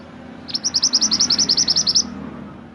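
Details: Mantenan gunung master song for training songbirds: a steady, fast run of about sixteen high, crisp chirps over a second and a half, with a soft low hum behind.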